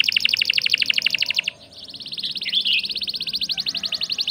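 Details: Canary song used as a lure for other birds: a rapid rattling trill of high notes, a brief break, then another fast even trill, somewhat blurred and noisy.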